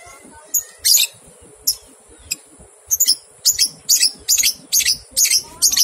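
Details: Lovebird ngekek song used as a training recording to stimulate two-month-old young lovebirds to sing: rapid run of harsh, high chattering bursts, starting sparse and then repeating about twice a second, over a faint steady background hiss.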